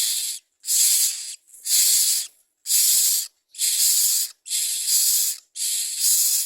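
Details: Common myna nest as adults bring food for the young: a regular series of seven harsh hissing bursts, roughly one each second, with brief silences between.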